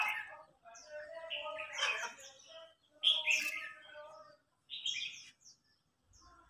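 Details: Red-whiskered bulbul in a singing contest, an older bird challenging a young bird; warbling, whistled phrases in irregular bursts with short pauses, several voices overlapping.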